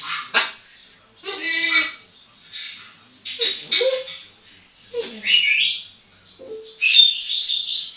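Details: An 8-year-old hand-trained female African grey parrot, moulting a bit, plays on a bathroom towel rail and gives a run of varied squawks, chatters and clear whistles, some speech-like, in bursts about every one to two seconds.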